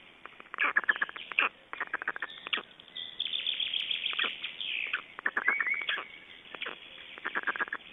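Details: Black storks at a nest in Estonia on 29 May 2012, during nest changeover and feeding; bursts of short, rasping pulsed calls in quick runs, broken by brief pauses and a few drawn-out, higher notes.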